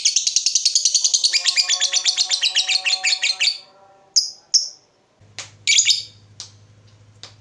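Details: Lovebird trill used to stimulate other lovebirds: a quick rattling high chatter for three seconds, then scattered sharp single chirps over a low steady hum.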